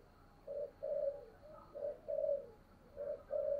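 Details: Spotted dove, used as a lure bird, calling and cooing at dawn; soft low hollow coos in pairs, a short note then a longer one, repeated three times over a faint background hum.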